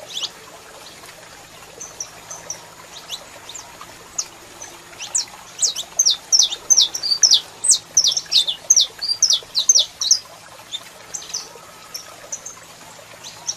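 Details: Saffron finch male singing while a female calls: bright, high chirped notes in a quickening burst of rapid twitters, tapering to scattered chips, over a faint steady background hum.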